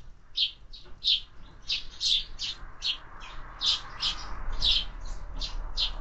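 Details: Sparrows at summer feeding chirp quickly and insistently, about fifteen bright notes in six seconds at a nearly steady pace, with soft low noise behind.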